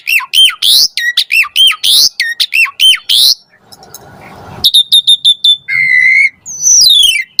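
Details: Asian pied starling in energetic song used as a lure for lazy starlings; quick looping whistles and squawks, then a brief noisy pause, followed by clipped notes, a steady held whistle, and a rising warble.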